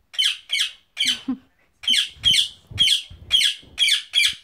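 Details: Female pet bird in a cage, angry while trying to chew the cage bars, gives harsh raspy growling squawks, nine short bursts at roughly half-second intervals, with faint low knocking and chewing noises between them.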